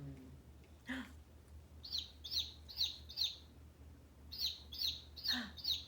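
A baby chick peeps: high, bright notes slurring downward, about eight in two quick runs, over a low steady hum with a brief voice.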